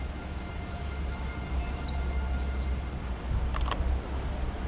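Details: Common swifts (Apus apus) over a street in Nijmegen, the Netherlands, on 11 July 2010: three shrill, high, buzzy screaming trills in quick succession across about two and a half seconds, over a low steady rumble.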